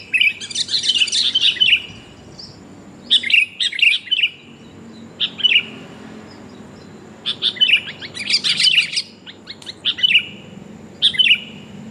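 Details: Female sooty-headed bulbul calling to the male, used as a lure to attract birds: bursts of bright, chirpy, bubbling notes that come in separate phrases with short quiet gaps between them.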